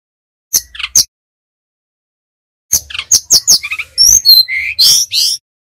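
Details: Brown-chested jungle flycatcher from Bali singing nyiul or nyuling style, as training song for untrained birds: two brief sharp notes, a pause, then a lively rising sequence of clicks and clear whistled slurs, increasingly loud and varied.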